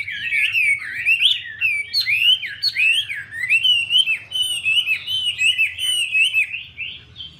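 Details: Chinese hwamei song as a female dances to excite the male: rolling whistled phrases rising and falling in pitch, bright and continuous, with high chirps on top and a faint low hum.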